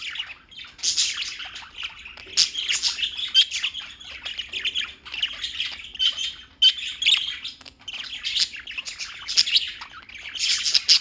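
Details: New York birds keep up a constant chirping chorus: thin, high tweets and rasping squawks overlapping densely, rising and falling in loudness throughout.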